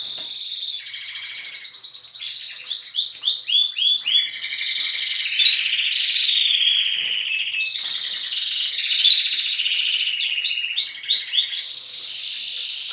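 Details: Canaries young and old singing together at dawn in a breeding room, meant to stimulate the young birds: a long stretch of rapid pulsed trills and looping upswept notes, several singers layered into a dense, continuous high chorus.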